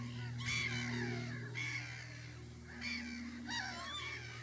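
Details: Adult lapwing accompanied by chicks, giving a series of four harsh, slurred, downward-bending calls about a second apart, rich in overtones, against a constant low mechanical hum.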